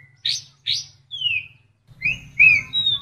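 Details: Short masteran phrase from a white-rumped shama with kapas tembak fill-ins: two harsh high chips, a long falling whistle, then bright, sliding whistled notes.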